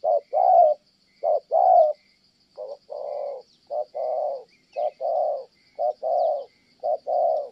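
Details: Spotted dove in Kon Tum, Vietnam, whose 'thổ' cooing is interrupted by a female: repeated short-long coo pairs, some softer and less even, with a brief break before the rhythm continues.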